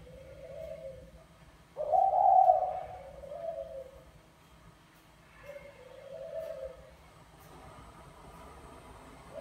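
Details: Male spotted dove of the Mã Phấn type calling to court a Bài Lối female: a series of low, soft coos, one louder and several fainter ones, over a steady background rumble.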